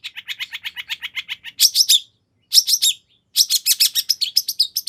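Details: Long-tailed shrike in a fast song meant to draw a shrike into answering: rapid ticking chirps, then loud bursts of high, sharp notes separated by short silences.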